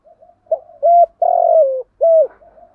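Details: Spotted dove call from a morning lure recording meant to stir wild doves: soft distant coos, then a clear sequence of a short note, a longer sagging coo and a final clipped coo, with faint cooing continuing behind.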